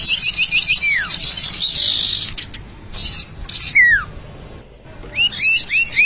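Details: Common iora lure sound: a quick run of short rising chirps, then long slurred whistles sliding downward, a pause, and another burst of rising chirps, all over a steady high buzzing rattle.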